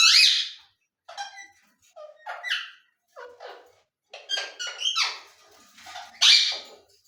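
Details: ['Indoor ring-necked parakeet chattering in short, squeaky, speech-like syllables, some loud and piercing, others soft, spaced irregularly over several seconds.']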